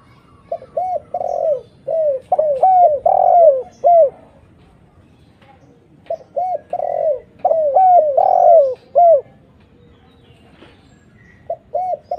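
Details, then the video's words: Spotted dove lure call used to bring in other doves. Two bursts of clustered mellow coos, mixing clipped and prolonged notes, separated by a quiet stretch, then a final pair of short coos. "suara PANCINGAN TEKUKUR GACOR paling banyak dicari suaranya jernih mudah ditirukan TEKUKUR manapun"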